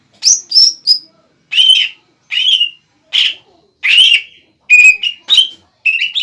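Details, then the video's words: Greater green leafbird, a kept bahan bird, in gacor song meant to provoke a rival into answering: high clear whistled notes at first, then spaced bursts of rich warbled phrases separated by short silences. "CUCAK IJO BAHAN GACOR MEMANCING EMOSI CUCAK IJO LAWAN AGAR BUNYI DAN NYAUT"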